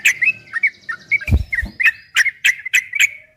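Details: Yellow-vented bulbul in long ropel-style training song meant to make kept bulbuls answer: bubbly, slurred notes near the same pitch, sharp clicks between phrases, a low thump midway.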